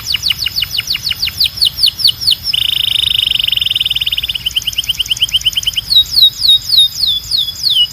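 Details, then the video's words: Belgian canary singing continuously: rapid series of high descending whistled notes, then a dense buzzy trill held for about two seconds, followed by more quick falling notes and a rolling trill. "Som de Canário Belga Super Afinado"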